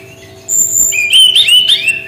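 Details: A brown-chested jungle flycatcher sings its unique shooting style: a long high thin whistle, then warbling, wavering slurred whistles with sharp upward flicks, loud and clear over quiet background.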